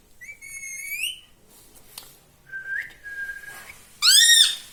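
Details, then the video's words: Talking green ringneck parrot, a pet kept indoors and said to repeat "mummy": a clear rising whistle, then a long level whistled note, then a loud, buzzy, harmonic phrase at the end. "parrot talking"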